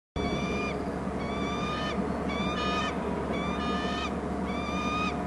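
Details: Bald eagle calling at a nest and territory on Hornby Island, loud calls off the nest: four bursts of thin, high, piping notes with slight rises, each about half a second, over a steady low rumble of waterside background noise.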